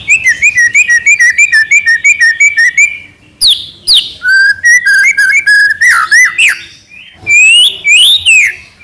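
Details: White-rumped shama from Medan singing a lure for captive birds: quick repeated whistled notes, then varied swooping whistles and scratchy phrases, with brief pauses.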